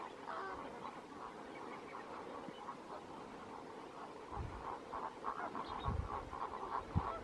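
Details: A large flock of lesser flamingos, with some greater flamingos, at Lake Natron, Tanzania, their only known breeding ground, gives a dense, unbroken chorus of nasal, goose-like honks and gabbling, with occasional low wind rumbles.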